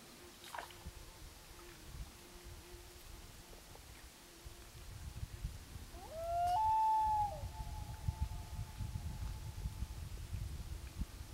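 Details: Common loon on Gavia Lake, 2011, uttering a single long, mournful wail midway, gliding upward into a sustained steady tone that fades, amid low rumbling background noise before and after.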